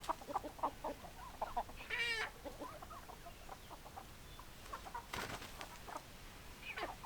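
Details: Chickens clucking: scattered short, throaty clucks, one drawn-out harsh squawk with stacked tones near the second second, and a brief noisy burst mid-clip over quiet background.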